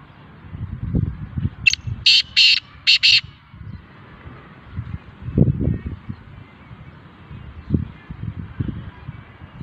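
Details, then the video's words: Black francolin (kala teetar) calling: one loud harsh phrase of about five grating, broadband notes, a short opening note then two longer rasping notes and a quick closing pair, lasting under two seconds, over low thumping and handling noise. "black francolin voice ll کالا تیتر ll kala teetar"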